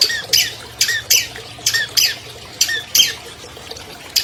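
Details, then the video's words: Long-tailed shrike, albino and a 2020 champion, its voice used to draw song from silent captive birds: a rapid string of harsh squawky notes with downward slurs, in irregular clusters. "MASTER SUARA CENDET ALBINO JUARA 2020"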